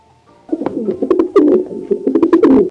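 A pigeon gives low, rolling, throaty coos in quick bursts, with a few sharp clicks and a faint musical hum behind.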